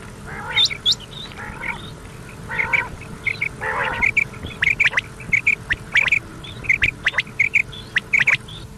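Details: Common quail giving quick, clipped high notes in short repeated bursts after a few harsher, rasping calls, from a very old cassette with tape hiss, used as a lure played overnight until morning to attract quail; Common quail.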